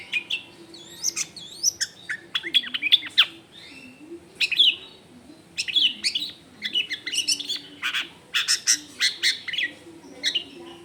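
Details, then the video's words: Long-tailed shrike recorded at home in a dense residential area, giving a varied song of whistled slurs, sharp chips and rising sweeps in rapid bursts, with a low droning hum underneath throughout. "CENDET GACOR FULL ISIAN MEWAH"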